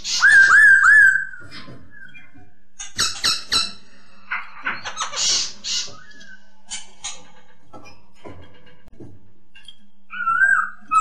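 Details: Masked laughingthrush (poksay Hongkong) in a clear tutor recording for training other birds: a wavering whistled phrase, then a series of harsh chattering and rasping bursts, quiet gaps, and a final warbled whistle, with a low steady hum throughout.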